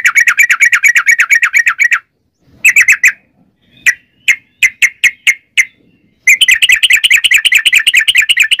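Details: Yellow-vented bulbul in a long 'ropel' run used as a lure: fast chattering trills of rolling notes for two seconds, a short pause, spaced bubbly notes, then another rapid rolling burst.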